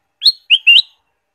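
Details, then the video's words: Ruby-throated bulbul singing a single short, clear phrase of three whistled notes, the first rising sharply, the second dipping, the third sliding upward and held briefly, meant to stimulate caged birds to sing. "pancingan kutilang emas gacor full variasi"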